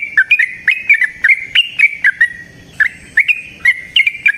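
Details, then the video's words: Lively yellow-vented bulbul, known locally as trucukan, in long rapid song used as a lure: crisp whistled notes, each bending up or down, delivered in a steady, bouncing series. "Trucukan GACOR ngalas ROPEL PANJANG suara alam AMPUH buat pancingan"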